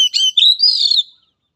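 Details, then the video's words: Oriental magpie-robin song phrase for therapy training of a timid, weak-spirited bird: quick high whistled notes running into a smooth, slightly rising then falling whistle that fades out after about a second. "Latihan Suara Terapi Kacer Lemah Mental"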